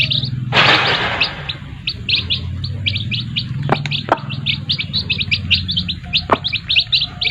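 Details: Domestic chicks beside their mothers keep up rapid shrill peeps, many birds calling over one another in quick bursts, broken by a brief rustling noise and a few sharp knocks.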